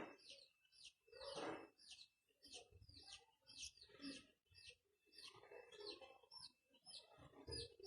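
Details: Indian ringneck parakeet kept as a pet and beginning to talk: quick bright downward-sliding chirps repeated about every half second, mixed with lower scratchy mumbling syllables, in a quiet room.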